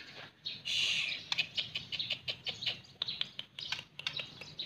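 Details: A beloved pet white-rumped shama sings a rapid run of sharp, clipped chirps and whistled notes, high-pitched and closely spaced, starting with a brief loud rushing burst, over faint low background hum.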